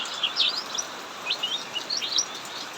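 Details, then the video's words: During heavy rain, a cucak mini in an aviary sings continuously: quick bursts of high, sharp, rising and falling chirps cut through the constant hiss of the downpour. "Burung cucak mini Ngacor saat hujan deras"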